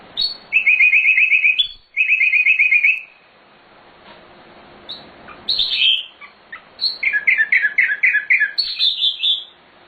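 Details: Nightingale (sikatan londo) song used as a master recording for training birds: fast rattling trills in two bursts, then varied sharp whistles and a run of rapid repeated chirps, with clean pauses between phrases.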